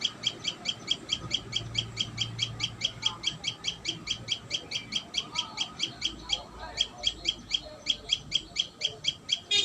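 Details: Persistent high chips from a Common tailorbird at the nest, repeated a little over twice a second with a short pause near the end, over a faint low hum.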